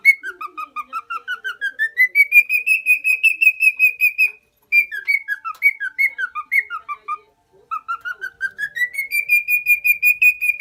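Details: Male lutino cockatiel, four years old, kept as a tame pet in Minoh, Osaka, gives a long series of clear whistled notes climbing steadily in pitch, then holding high, breaking into jumbled phrases and climbing again.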